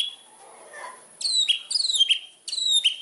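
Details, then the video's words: Indonesian white-rumped shama giving clear, high, sharply slurred whistles in two short bursts over a faint background murmur. "Pancingan burung murai batu"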